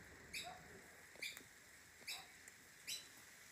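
An Australian Magpie gives four short, bright, harmonic notes, roughly one every second, over a soft steady hiss.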